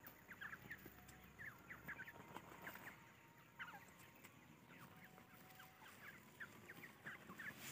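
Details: Dakhni (Iranian) francolin chicks peep together, a steady stream of short, high, slurred chirps overlapping several times a second, with a faint background hiss.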